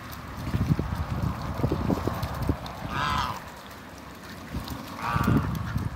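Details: A new pair of Mallard ducks in a backyard with other waterbirds; two harsh, nasal calls about two seconds apart, with splashing and shuffling noises in between.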